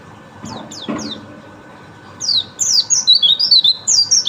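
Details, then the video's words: A white-eye gives a few scattered high downward chirps, then breaks into a fast, continuous twittering song of bright, wavering high notes over a constant low hum. "Burung Pleci"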